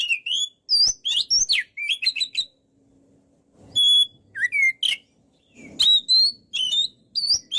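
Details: Caged white-rumped shama in energetic full song for bird training: sharp whistled notes, swoops and high pure tones delivered in rapid bursts, with a brief quiet gap midway.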